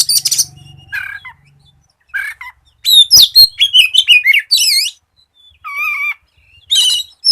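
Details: White-rumped shama song used as a lure to get other shamas singing: varied bursts of loud whistles, buzzy trills and rapid chattering phrases, separated by short pauses, with a faint low hum at the start.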